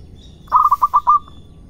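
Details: A single phrase from a local zebra dove in Indonesia: five or six quick, rolling coos on one pitch, closing with a soft final note, with a steady faint hum behind.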